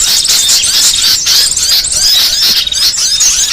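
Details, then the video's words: Varied small-bird song meant for training songbirds: shrill, rapid chirping and buzzy trills with sweeping whistles, a tight continuous burst of notes. "MASTERAN BURCIL VARIASI"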